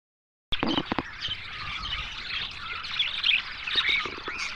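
Budgerigars chatter in a dense, continuous stream of high chirps, warbles and squeaks.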